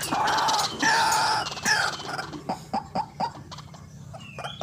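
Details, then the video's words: White-breasted waterhen calling, as played to lure birds for trapping: a long harsh wavering note, then a second, followed by a string of quick clucking ticks that fade. "RUAK RUAK GACOR GANAS RAJANYA PIKAT"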